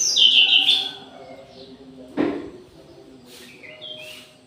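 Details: Orange-headed thrush in an aviary around midday: a brief loud warbled phrase at the start, a thump midway, then faint short whistles from further off over a low background hum.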